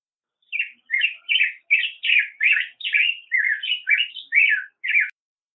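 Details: Continuous song of a black-headed grosbeak: a rapid run of about a dozen sweet, rolling warbled notes rising and falling, steady tempo with brief gaps, no other sounds.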